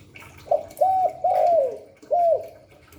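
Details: Spotted dove, 'Hạp Bổi' voice, used to prompt other doves to coo: one full phrase of a short clipped note, an arched hollow coo and a long falling coo, followed by another arched coo.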